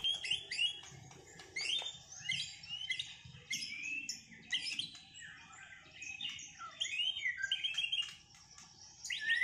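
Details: White-rumped shama just out of its moult, in a singing duel: a fast, varied stream of whistles, slurred notes and sharp chips, mostly high-pitched, sung continuously at a moderate distance.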